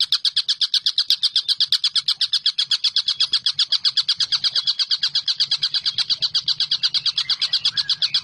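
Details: Collared kingfisher calling at length, giving an unbroken stream of rapid, rough 'kek' notes at an even pace, with a faint low rumble underneath.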